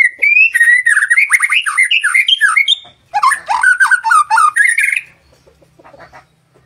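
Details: Master song of a white-rumped shama to coax other birds into singing: two rapid bursts of loud, varied whistled and chattering notes, closely packed, separated by a short pause, fading to quiet ticks.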